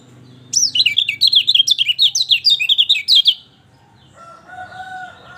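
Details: Song of a lemon-bellied white-eye, used to coax a quiet bird to sing: a fast, bubbly run of high slurred chirps lasting almost three seconds, followed by a faint, steady, lower tonal hum.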